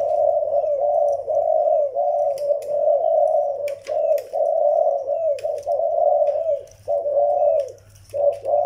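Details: Caged zebra doves indoors, a young Malay-line bird with an old Vietnamese decoy dove, giving continuous low, purring, rolling coo phrases, with short breaks near the end, and a faint background hum.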